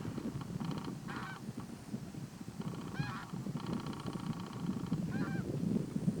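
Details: Red-necked falcon filmed close up at Little Rann of Kutch, Gujarat, India, in January: harsh, buzzy, pulsed calls in short bursts under half a second to about a second long, repeated several times over strong low wind rumble.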